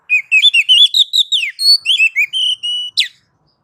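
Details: Oriental magpie-robin (kacer) masteran song used to train and provoke other birds to answer: a rapid run of bright whistled notes, rising and falling, ending in level pure whistles and a sharp harsh note, no other sounds.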